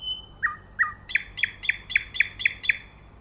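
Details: Nightingale singing: a thin, high sustained whistle, two lower slurred notes, then a run of six sharp, bright repeated notes at roughly four per second. Quiet background.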